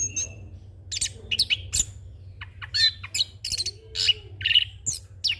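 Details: Young orange-headed thrush delivering a rolling, fill-in-rich song used as a master and lure recording; varied chirps, buzzy slurs and sharp whistles tumble irregularly, backed by a low constant hum.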